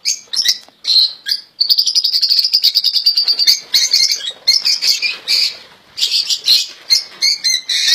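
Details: Caged European goldfinches, the royal goldfinch kept as a pet, singing a fluent song: a long even high trill, then bright twittering phrases and buzzy notes that run almost without pause.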